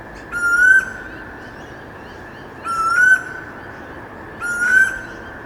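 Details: Pacific koel (storm bird) singing loud in suburbs late in the afternoon: three rising whistles roughly two seconds apart, each joined by sharp high chirps from other birds, over steady low background noise.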